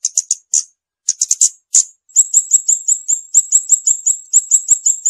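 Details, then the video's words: Scarlet-backed flowerpecker: clusters of sharp, very high ticking notes, then a long rapid string of thin, evenly repeated high chips, almost trill-like; nothing else audible. "เสียงนกชมพูสวน, นกขุนช้างขุนแผน, Scarlet-backed Flowerpecker Song."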